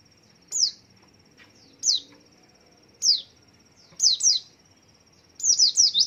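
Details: Singing white-eye, swaying as it calls, used to draw other white-eyes into singing; single thin downslurred tweets spaced about a second apart, then doubled and a final fast run of four notes.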